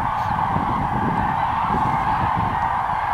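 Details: A large flock of Common Cranes rising from roost at about 8:09 on 28 October, seen from a dike during morning migration to feeding areas: loud overlapping trumpeting and bugling in a steady chorus, low rumbling underneath.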